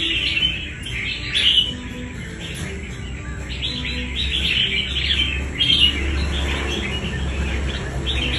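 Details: Fighting-contest song of a wild-caught red-whiskered bulbul: quick, liquid chirps and whistled flourishes, with louder bursts near the start and middle, against steady low-pitched background noise.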